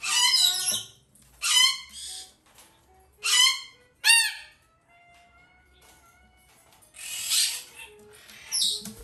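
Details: A female sulphur-crested cockatoo chick (Aru subspecies), domestically bred and still hand-fed three times a day, gives harsh, rasping squawks in bursts about every one to two seconds, with a faint steady electronic tone between them.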